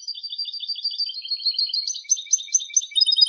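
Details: European goldfinch song made for training, recorded in high quality: a continuous rapid twittering stream of high chirps and trills, growing more buzzy and varied toward the end.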